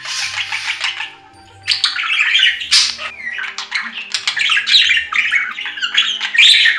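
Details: Budgerigar chattering in long scratchy warbled phrases with chirps and harsh squawks, a brief lull after the first second, then steady lively chatter.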